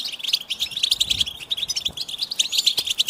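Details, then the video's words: Brief burst of goldfinch song: quick, bright chirping notes and fluttering trills strung closely together. "the Goldfinch Song"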